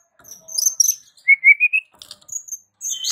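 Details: White-rumped shama, its voice said to set the village's shamas answering in lively song: high whistled notes, then a clear rising whistled phrase, followed by faint high chips and a short burst.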